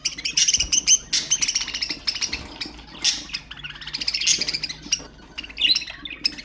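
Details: Budgerigars chattering as a stimulating sound for pet budgies, a busy stream of high buzzy chirps, rapid clicks and thin whistles with loud bursts about each second and scarcely any pause.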